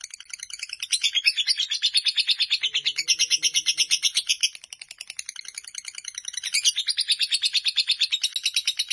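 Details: Shrill, fast-pulsed chattering song from a fighter lovebird, long and nearly unbroken, with a brief dip in volume and faint low sounds behind.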